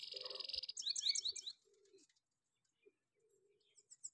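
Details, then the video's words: Goldfinch singing a quick run of high, liquid, rolling twittering notes after a harsh buzzy opening, then a few thin high notes after a pause. "gold finch full bower rolling sounds"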